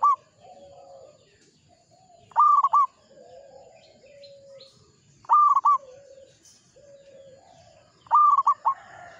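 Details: Local zebra dove in full voice: a loud stuttering coo phrase repeated about every three seconds, with softer, lower drawn-out cooing notes in the gaps.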